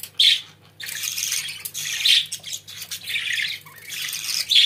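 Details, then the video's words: Indoor pet budgerigars giving bursts of harsh, scratchy warbling chatter, with sharp squawky notes at the start, around two seconds and at the end, separated by brief quieter gaps; a low electrical hum runs beneath. "Muhabbet Kuşlarınız Bu Sese Bayılacak & Ötme Garanti"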